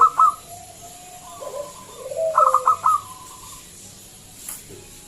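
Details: Loud local zebra dove, wild, whose voice serves as a lure to get other doves singing: one short stutter, then a low gurgled coo and a run of four clipped, rapid notes, followed by quiet.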